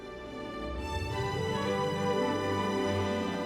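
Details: Soft, sustained background music with layered tones and no animal voices.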